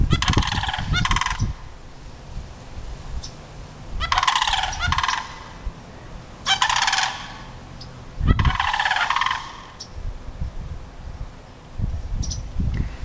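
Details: Threatened sandhill cranes calling at a nearby dog across the street: harsh, rolling, trumpeting rattles in four spaced bursts of about a second each, with low rumbling background noise between them.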